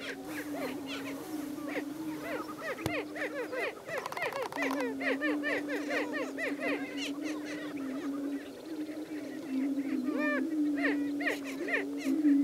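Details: Greater prairie-chickens at a lek, with a male displaying: a steady, low, hollow booming drone from many birds, overlaid by rapid, excited cackling and whooping notes.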